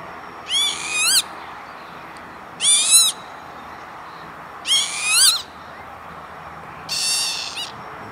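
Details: A northern lapwing on an industrial estate near Veenendaal, the Netherlands, 28 May 2013, gives four wheezy, slurred 'pee-wit' calls, rich in harmonics, about every two seconds over a faint steady hiss.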